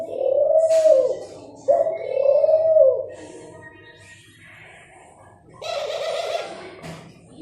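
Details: Dove calling: two long, low, mellow coos, each swelling and wavering for over a second, followed by quieter fainter sounds and a brief noisy burst near the end.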